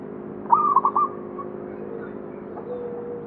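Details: A single stuttered phrase of quick bubbling coos from a local zebra dove at the Candi Rimbi temple site, Jombang, Indonesia, followed by faint low notes over a humming background.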